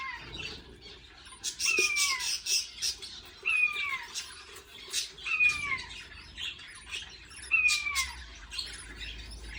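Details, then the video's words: Budgerigar chicks fed by their parent: a clear whistled note falling in pitch repeats roughly every two seconds, mixed with loud rasping, buzzy begging bursts. "Budgie feeding baby chicks"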